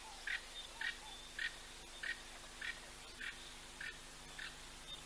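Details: African hawk-eagle at ol Donyo Lodge, caught by a wildlife live-stream camera: a quiet, evenly spaced series of short, sharp calls about every half second, over a steady low hum.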